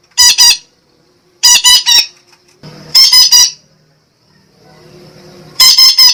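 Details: Parakeet giving strident, rasping squawks in runs of two or three, irregularly spaced, with a soft murmur and faint indoor background noise between the bursts.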